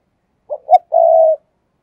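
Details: Spotted dove kept as a decoy, calling in 'thúc gù' style to draw in other doves: two quick low coo notes followed by a single long, even, sustained coo, with no other sounds.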